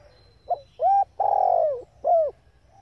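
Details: A female spotted dove calling to excite males gives a single low phrase: faint opening note, short hooting coo, a long buzzy descending coo and a last short arched coo.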